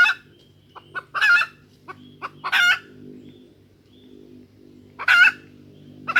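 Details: Female junglefowl calling to lure males into crowing, giving loud grating cackles mixed with short clucks at irregular intervals. A steady low background hum runs throughout.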